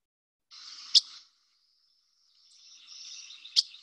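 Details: Dickcissel, a grassland bird of the Chicago area, singing two high, dry buzzy phrases about two seconds apart, each with a sharp click, with a faint thin whistle between; Dickcissel.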